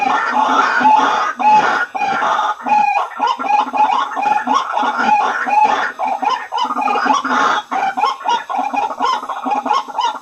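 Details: White-breasted waterhen calls used as a lure to attract waterhens: harsh, croaking notes repeated in a dense, uneven chorus, about two per second, with overlapping voices throughout.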